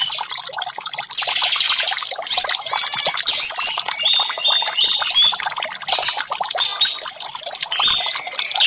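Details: Orange-headed thrush singing, a therapy track for birds that have stopped singing; busy, scratchy warbling mixed with clear whistled notes, getting louder after the first second and staying dense to the end.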